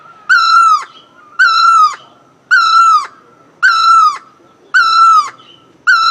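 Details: Singing great barbet: a regular series of six loud, slightly falling, nasal notes at about one-second intervals, the last one cut off, over a faint background hum.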